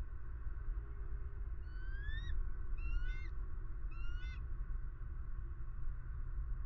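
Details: Eagle filmed by a camera in Southwest Florida on 23 February 2020 during a pond visit: three thin, rising whistled notes with a stuttering, clipped quality, spaced about one second apart, over steady low rumbling background noise.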